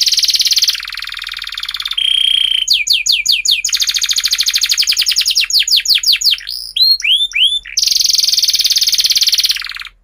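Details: Canary in long, loud song, used to teach young canaries and rouse silent ones: buzzy rolls alternate with a lower steady trill, rattling sweeps, hooked whistled notes, and a final high roll that fades.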